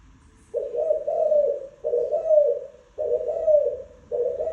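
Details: Spotted dove cooing: low, hoarse coos run together in four rounded phrases, each swelling slightly in the middle and lasting about a second, with short gaps between them.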